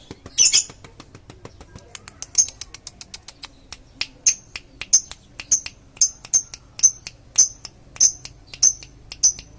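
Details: Long ngekek trill from a lovebird, recorded as a lure: one loud squeaky burst, then a string of thin, high chirps in steady rhythm, closing in quicker succession.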